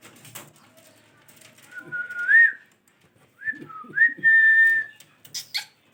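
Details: Parrot indoors whistling a short tune: a level note ending in a lift, then after a pause a dipping whistle and a long steady tone, over faint background chatter.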